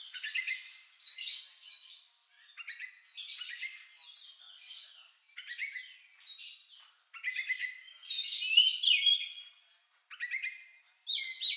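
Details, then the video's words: Oriental magpie-robin singing an unusual, strange-sounding song said to resemble a lovebird's, used to provoke other birds into singing. Bursts of high, scratchy chirps and twittering phrases come in short clusters separated by brief pauses, with nothing else heard. "Suara Burung Lagu Unik Kacer Ini Cocok Untuk Pancingan"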